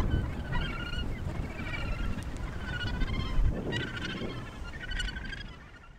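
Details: Australasian gannets at the Point Danger breeding colony near Portland, Victoria, Australia: several birds give harsh, nasal, harmonic calls in overlapping bursts throughout, over a steady low rumble of wind.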